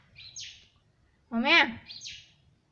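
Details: Pet green ring-necked parrot talking in Hindi, saying "mummy": one loud harmonic syllable that rises and falls, framed by softer breathy chirps.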